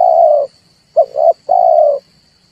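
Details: Red turtle dove coos used to provoke birds into calling for trapping: a long low note, a short pause, a double clipped note, then another sustained coo, over a steady faint high hum.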